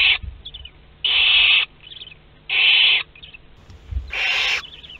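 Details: Barn owls in a Théding nest box as second-brood chicks hatch on 22 August 2021. Harsh hissing bursts repeat about every 1.4 seconds, with faint short squeaky notes between them.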